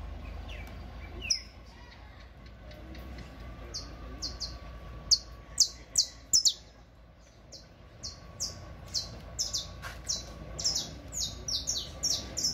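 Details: Saffron Finch, singing a teaching song: scattered high descending notes build into a fast, uneven series of bright slurred whistles over a constant low hum.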